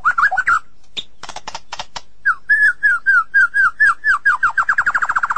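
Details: White-rumped shama song opening with warbled whistles and dry clicking notes, then a long series of mellow falling whistles that speed up into a rapid, even chain of short notes.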